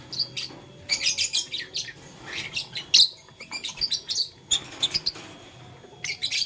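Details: Pet lovebird, blue, lutino and green colours, playing with a flower in the morning, gives many short high chirps in quick bursts, some sharp and buzzy, spread across the whole stretch with brief pauses between groups.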